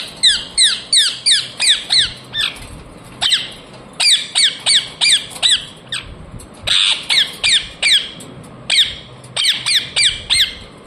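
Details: Pet talking ring-necked parakeet giving loud, harsh squawks in quick bursts of four to six, each note a sharp downward-bending screech, with brief pauses between bursts; low room noise behind.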